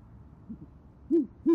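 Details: Great horned owl at a camera-watched nest in Oklahoma City, female calling the male to the nest on a January evening: two faint low notes, then two strong, rounded hoots in quick succession.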